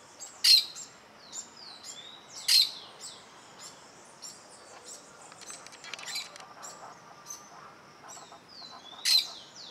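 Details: Plain parakeet keeping watch on an observer who stands very close to its nest. Three sharp, grating squawks are heard, two early and one near the end, amid soft background twittering and sliding whistles.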